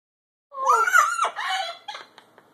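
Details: Pet Catalina macaw starting to sing and dance: one loud hoarse, warbling squawk rising then falling, followed by a few short fading notes and quiet room.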